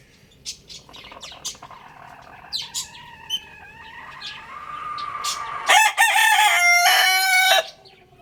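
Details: Young rooster crowing loudly: after scattered chirps and soft rising notes, a strong harsh crow of nearly two seconds ends the sequence.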